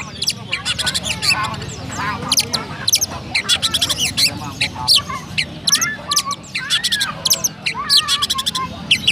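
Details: Oriental magpie-robin kept in Pemalang, Central Java, Indonesia, delivering sparrow-imitating 'rasa gereja' song: dense runs of scratchy chirps and rattles mixed with wavering mid-pitched warbles, nearly continuous for about nine seconds.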